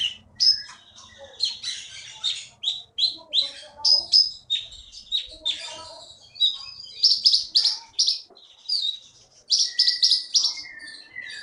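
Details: Konin songbird, wild-caught in Bangka and winning contests in Bangka Belitung, sings a long rapid sequence of crisp high whistles and repeated chipping notes in quick clusters, with occasional lower sliding whistles.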